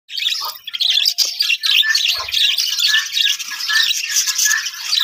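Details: Budgerigars in a breeding colony setup, a dense mass of overlapping chirps, squawks and warbling chatter, continuous and busy, with short harsh notes breaking through now and then.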